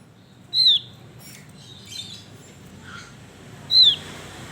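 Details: Male Javan grey-throated white-eye in full singing form: two loud, short, high whistled notes that slur downward, about three seconds apart, with faint softer chirps between them.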